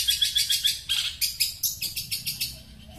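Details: Caged long-tailed shrike from Sepudi Island sings bright, high chirping notes repeated about three to four times a second, each sharp and slightly buzzy, fading toward the end over a faint low background hum.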